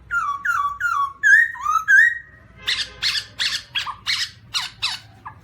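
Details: Black-throated laughingthrush (Garrulax chinensis) whistling a run of falling then level clear notes, followed by harsh, noisy bursts repeated about every half second over a faint low hum.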